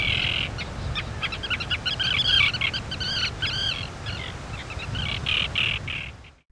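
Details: A breeding-season common tern gives its characteristic squabbling kiri-kiri-kiri call: rapid, sharp, grating notes in quick runs, several per second, over a low rumble of wind or surf.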